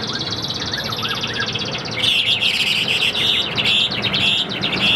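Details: Captive Chinese hwamei, about 85% tame, produces loud buzzy rattling trills that run continuously for three seconds after a faint quieter opening, with steady background noise.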